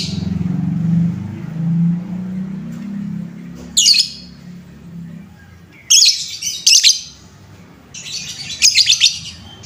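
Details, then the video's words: Lovebird sound used as a pancingan lure to stir up and excite other lovebirds. Harsh, high bursts of chattering come near 4, 6 to 7 and 8.5 to 9 seconds. A low hum fills the first few seconds. "Suara pancingan lovebird Bahan, menaikan emosi lovebird"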